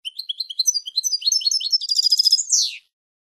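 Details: European goldfinch singing a phrase for training young goldfinches: quick sparkling twitters accelerating into a rattling trill, closed by a drawn-out falling, nasal buzz; clean recording.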